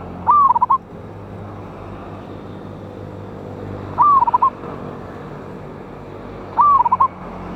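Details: Wild local zebra dove with a big voice, recorded on 11/8/24 for use as a lure sound. Three phrases about three seconds apart, each a whistled rising coo followed by quick staccato notes, over a steady background hiss.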